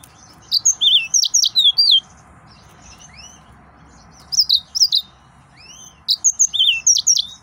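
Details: Excited male yellow-fronted canary singing in bursts of rapid, high twittering notes with quick rising and falling whistled slurs, three phrases separated by short pauses, over a faint low hum.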